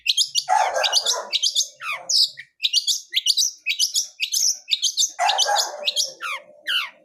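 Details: Varied full-fill song from a wild long-tailed shrike of the blangkon type: jumbled high chirps, steep downslurred whistles and two harsh, scratchy lower bursts, delivered in a busy, uneven stream.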